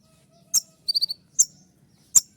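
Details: Kolibri ninja sunbird giving shrill 'tembakan' notes: sharp, very high single ticks separated by gaps, with a quick run of four tiny twittered notes in between.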